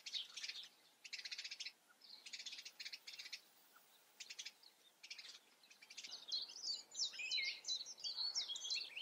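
A yellowhammer gives phrases of quick, dry, buzzy notes. They are high-pitched and come in short bursts. Busier, varied chirping from other small birds takes over near the end.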